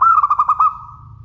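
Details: A local zebra dove's clear coo phrase, a quick series of about six pulsed notes that slide slightly downward and tail off into a soft sustained note.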